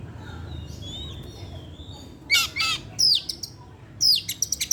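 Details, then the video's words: Oriental magpie-robin singing varied material in the afternoon: soft thin whistles give way to loud buzzy bursts, downward sweeping notes and a fast string of short, sharp ticking notes. "pancingan suara kacer , Opus setiap sore ngeplay dan keluar materi"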